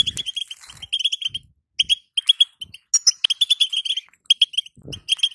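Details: Female European goldfinch calling, a call used to excite a caged male into singing: high, sharp twittering chirps in quick, uneven bursts with short pauses, and occasional soft low knocks.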